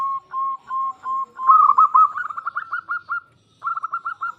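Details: Zebra dove of a local strain, singing to stimulate silent doves: evenly spaced short coos, then a fast bubbling, slightly rising trill of quick notes, a brief gap, and another rapid trill.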